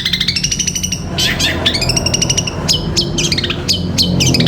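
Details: Long-tailed shrike kept for training caged birds, a loud, varied song of rapid repeated chirps and harsh notes, with ringing harmonic phrases near the middle and a low background hum throughout.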